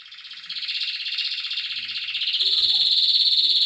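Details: Canary song: a steady, rapidly pulsed rolling trill that grows louder and rises slightly in pitch midway, with faint low background noises.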